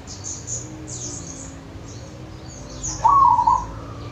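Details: Local zebra dove heard in the wild at Wonogiri: soft high chirping from small birds at first, then one loud short trilled coo phrase.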